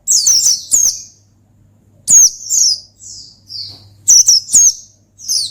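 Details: Oriental white-eye giving a gacor ngalas style song meant to call and provoke a rival: clusters of high, thin, downslurred chirps in quick bursts, separated by short pauses, over a faint steady low hum.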